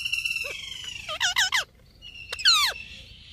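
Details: Indian ringneck parakeet vocalizing: a steady high tone, then a quick series of looping harmonic syllables, a short gap, and a bright descending squawk.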